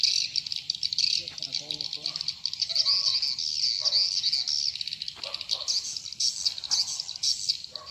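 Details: Colony-like chatter of swiftlets, a lure recording for Indonesian swiftlet houses called 'sp rambut lmb original': a steady stream of high, squeaky twitters, many birds overlapping, with faint lower chirps here and there.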